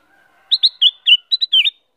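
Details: A female Black-crested bulbul (Rubigula flaviventris) gives a quick, bright phrase of about seven high, slurred notes in just over a second, after a faint, lower whistle.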